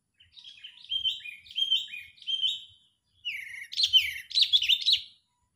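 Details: A sooty-headed bulbul, calling angrily as a bird-trapping lure, gives three repeated falling, whistled chirps, then bursts into loud, dense, harsh chattering.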